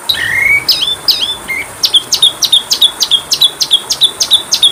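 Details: Oriental magpie-robin singing on a training recording: opens with a rising whistle and several looping slurred notes, then a long series of sharp, downward-flicked notes repeated about three times a second, clear over a faint hiss.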